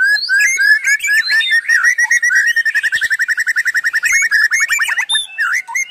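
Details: Continuous 'gacor' song of a white-rumped shama for bird lovers: mixed whistles and chatter opening into a rapid run of evenly repeated sharp notes, about three and a half per second, then varied warbled phrases.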